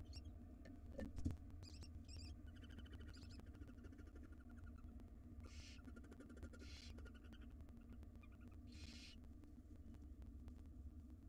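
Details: Wild barn owls in a monitored nest box, the male tending nestlings until the female returns: several harsh, breathy hissing bursts, each about half a second to a second long, spaced a few seconds apart, over a steady low hum.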